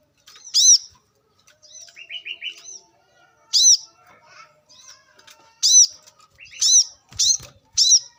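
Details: Wild brown-throated sunbird recorded for luring birds: high arched chirps spaced irregularly, a short run of lower stepped buzzy notes near the start, faint rustling and a brief low thump near the end.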